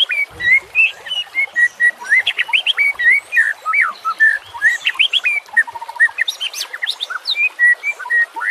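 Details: Varied, continuous song of a white-rumped shama used to train silent shamas, with a nature and flowing-water background: mid-pitched whistles, trilled runs and sudden high, sharp notes.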